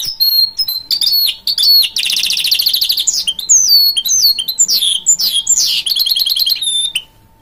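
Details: Goldfinch-canary hybrid (mule) singing a long varied song: quick high chirps, a dense buzzy trill, then sweeping whistled notes and rapid twittering runs before falling silent.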